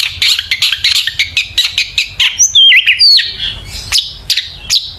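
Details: Long-tailed shrike singing as a lure to set other shrikes singing: rapid chattering buzzy notes, over two a second, give way to wavering whistled slurs and a few sharp calls.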